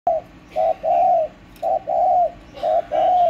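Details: Spotted dove kept at home, recorded 31 March 2024: mellow cooing phrases, a short note followed by a longer drawn-out coo, repeated three times with brief gaps, against a quiet background.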